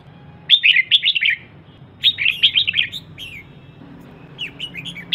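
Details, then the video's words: Female red-whiskered bulbul singing to excite males: bursts of quick, slurred whistled notes at about 0.5, 2 and 4.5 seconds, short gaps of quiet between, with a faint low hum underneath. "CHÀO MÀO MÁI HÓT SIÊU KÍCH TRỐNG"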